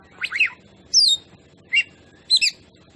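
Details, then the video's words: Oriental magpie-robin (kacer) song as a provoking lure: four separate notes, a rising double slur, a falling whistle, a short chirp and a paired trill. "masteran kacer ini vidio burung asli"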